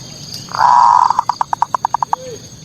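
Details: Zebra dove, locally perkutut, in manggung song used to anger rival birds: a sustained purring trill breaking into about eleven evenly spaced staccato coo pulses, with a soft high hum behind.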